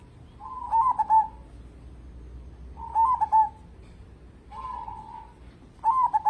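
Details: Local zebra dove in full song as a lure bird: three loud rolling, broken coo phrases spaced about two seconds apart, with one softer smooth coo between them and light background hiss.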